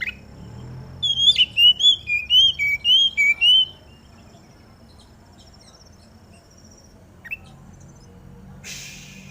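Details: An Oriental magpie-robin sings in the dew to draw song from other magpie-robins: a sharp note, then a quick series of about ten clear whistles that rise and fall, followed by quiet, one faint note and a brief hiss.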